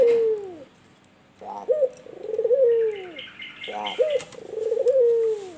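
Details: Albino puter, a white turtle dove, delivering kuwor bekur coos: an opening drawn-out falling note, then two phrases, each a short clipped burst followed by a long sliding coo that bends downward, separated by a brief pause.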